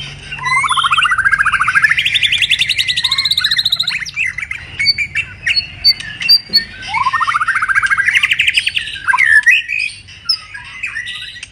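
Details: In moult, a white-rumped shama gives the 'kéo thuốc lào' style twice: long trilled runs of rapid pulses that climb steadily in pitch, separated by sharp clicks and chips.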